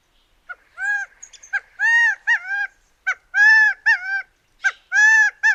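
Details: Gambel's Quail, usually in desert flocks near dense thickets and accustomed to humans, giving a rapid series of loud harmonic clucks and chuckles, some notes drawn out and wailing, others short and clipped, in an irregular burst.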